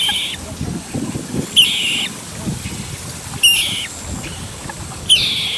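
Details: Calls of two grown common moorhen chicks summoning their parents while leaving the nest area; four high, slightly rasping notes about every one and a half to two seconds against quiet low background noise.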